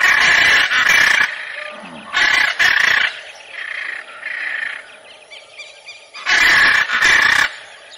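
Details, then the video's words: Macaw calling in loud, harsh, grating squawks, several bursts in quick succession at the start and end, with quieter, softer calls between them. "CANTO DA ARARA"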